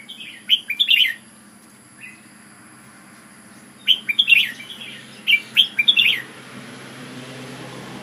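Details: Singing Red-whiskered bulbul, an Ubon decoy bird: quick clusters of bright, bubbling whistled notes, a lone soft note in between, then a longer run of rapid warbles against a low hum.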